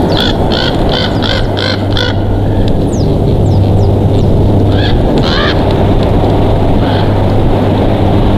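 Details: Wild bald eagle pair at their nest in Big Bear Valley, California, on 22 July 2023 at 21:27; a rapid series of high, thin chattering notes, then a few faint sliding squeals, over a loud steady low rumble.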